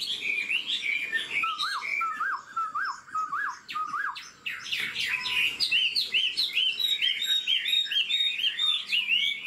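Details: Caged old wild-caught Chinese hwamei in fast, varied song. Rapid repeated up-down whistled notes start lower, then become a quick high series of sharp slurred phrases, roughly two per second.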